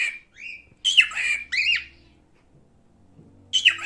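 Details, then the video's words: Male cockatiel uttering a few rasping, upward-bending squawks, then a pause with faint low room hum, before one more harsh call at the end. "Erkek Sultan papağanı sesi"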